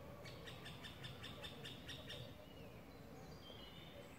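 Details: Middle spotted woodpecker chick fallen from its nest, trying to climb back up a nearby tree, Parc de la Poudrerie, France, 22 May 2019; a rapid series of short harsh chattering notes, about ten in two seconds, then fading, over low background rumble.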